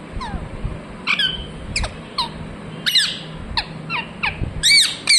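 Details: Irregular parrot chirps, brief squeaky flicks at first, building to louder, harsher rasping calls near the end.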